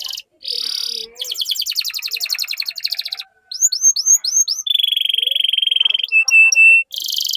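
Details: Canary singing to stimulate other canaries: varied phrases of high rattling trills, a string of hooked rising whistles, a sustained even buzzy roll, then three short flat pips and a brief trill.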